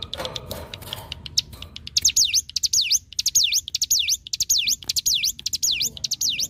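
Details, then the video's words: Ciblek gunung, the hill prinia, singing as a training model for other songbirds: a few scattered clicks, then loud high notes that swoop down and back up, each paired with ticking clicks, repeated about twice a second. "cigun ngbreeenn‼️masteran yang dicari para kicau‼️"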